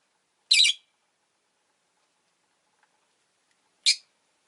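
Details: Two rosy-faced lovebirds huddled together at an entrance; two piercing, rasping chirps come a little over three seconds apart, with quiet between them.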